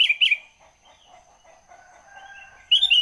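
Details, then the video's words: Sooty-headed bulbul in the morning, a quick double phrase of bright slurred notes, a quiet pause with soft background chirps, then another bright bubbling phrase. "burung kutilan masih pagi pagi sudah ngoceh"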